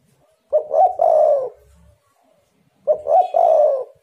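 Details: Spotted dove used to make other doves answer: two mellow cooing phrases a little over two seconds apart, each starting with quick stuttered notes and running into a longer soft coo that fades downward.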